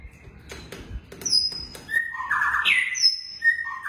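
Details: Long-tailed White-rumped shama kept in captive breeding, singing loud rich whistles with sharp high notes and fuller warbled phrases, after a few clicks and taps.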